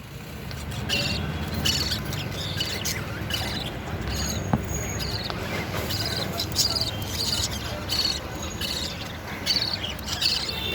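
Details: Budgerigars feeding their chick give bursts of scratchy, high chattering calls over a steady background rumble.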